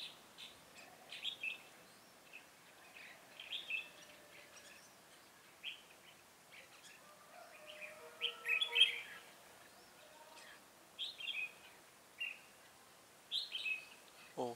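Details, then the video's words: Red-whiskered bulbul at a trapping site, 7 January 2018: rapid, busy chatter of short bright notes and warbled phrases, building to a loud cluster near the middle, then scattered calls, ending with a brief thud. "Bẫy chào mào Cui lân- cánh bướm ngày 7/1/2018"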